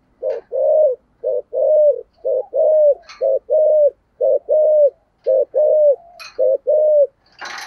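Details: A spotted dove used as a decoy bird coos in the 'thổ' voice style. Steady paired coos, one short and one longer, repeat about once a second without a break, with occasional sharp clicks and knocks.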